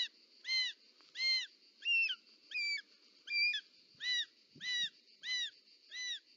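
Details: Short-toed snake eagle nest in Parc Natural dels Ports, Catalonia, 18 July 2024, the mother delivering a snake; nine arched calls at an even rhythm, a few sounding sharper and higher, with light knocks and rustling underneath.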